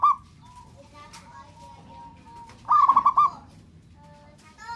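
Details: Local zebra dove in full song calling to rouse rivals: one bright, rapid, stuttering coo trill near the middle, surrounded by steady thin whistled notes from other birds.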